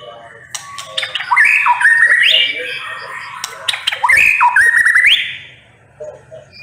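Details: Sharp 'nembak pedes' singing by a white-rumped shama: two loud whistled phrases, each climbing then holding a wavering trill before a quick rising flourish, with clicks scattered between and quieter notes after.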